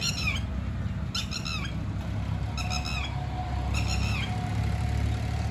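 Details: In Abul Fazal Enclave, New Delhi, India, a red-wattled lapwing repeats shrill three-note bursts about once per second, each note sliding slightly down, with constant low traffic hum beneath.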